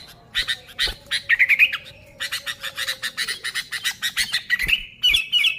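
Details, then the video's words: Sooty-headed bulbul in full song, unmixed original recording meant for luring bulbuls: harsh, rapid ticking chatter dominates, broken by a fluttering warbled phrase midway and a clear whistled phrase at the end. "Suara Burung Kutilang Gacor ASLI Tanpa isian, Ampuh untuk Pikat Kutilang bikin kutilang Ribut gacor"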